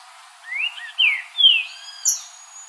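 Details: Green-winged saltator singing in the wild: a quick run of four rich, slurred whistles that rise and fall, ending on a thin, high note.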